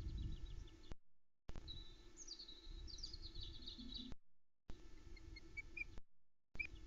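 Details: At a Loch Arkaig nest on the morning of 27 May 2020, the female osprey on the eggs talks to her mate after he brings a log: thin, high whistled chirps in short descending runs over a steady low rumble of wind.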